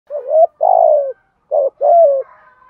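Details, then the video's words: Spotted dove calls, female and male, used to stir other doves into calling: four low, hollow coo notes, the first two rising then falling, the last long and slightly descending, with a short pause midway; clean, quiet background. "chim cu gáy thúc gù gáy gọi/ cu gáy kích bổi nhanh nổi"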